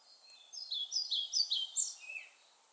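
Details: European pied flycatcher song, a brisk run of about eight high, clear notes that swing up and down, ending on a lower falling note, against a faint steady background hiss.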